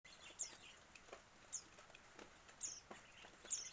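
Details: Two hand-fed Yellow-vented Bulbul chicks, seven days old, begging: short high thin chirps sliding downward, spaced about one second apart, over a quiet background with soft clicks.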